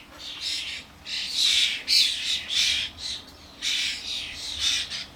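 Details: Garden feeder commotion of common starlings, adults having brought their fledglings to the suet: a rapid series of about seven raspy, grating squawks in quick bursts.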